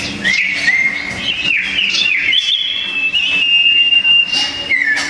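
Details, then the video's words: Duelling sooty-headed bulbuls sing hard and loud: a long, steady whistled tone held for several seconds, broken by quick warbled slurs at the start and end. "Burung sirpu‼️duel maut paling seru"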